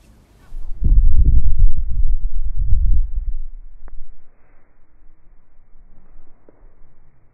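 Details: Sharp-tailed grouse males competing for dominance on a lek give low, rapid rumbling and clucking bursts for about three seconds, then near-quiet with faint distant notes.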